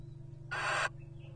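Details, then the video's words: Courtship call of a wild Little Owl at a nest box, recorded in 2023: a single broad, grating screech about a third of a second long. Low steady mechanical hum in the background. "Whoo's Courting Who? A Charming Encounter Of Little Owl Pairs At Nest Boxes"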